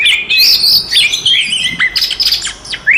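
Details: Oriental magpie-robin in full fighting song, used to provoke other magpie-robins into anger: rapid high whistled phrases and sharp rising slurs, with short pauses between bursts.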